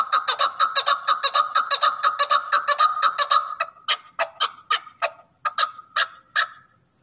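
A male chukar gives a fast run of harsh, clucking chuk notes that slows into spaced, rasping chuckar phrases about twice a second.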